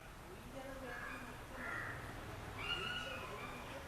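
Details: Yellow-billed babbler, known locally as poothankiri, giving a few drawn-out, harsh nasal calls, the last one higher and stronger, over a steady low background rumble.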